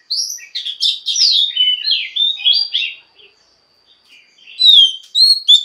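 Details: A female Oriental magpie-robin sings to excite males into song: a flowing warble of slurred whistles for about three seconds, a short pause, then bright rising and falling whistled notes.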